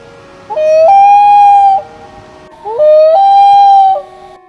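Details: Common loon (Gavia immer) giving a haunting call: two long, mournful notes, each sliding up a step and then holding steady for about a second, over a low background hiss.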